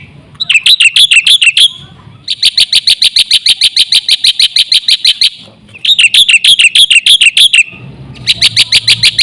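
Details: Lure recording of a black-winged myna (jalak putih) in full song: loud rhythmic bursts of buzzy, metallic notes several per second, broken by short pauses, with a faint low rumble underneath.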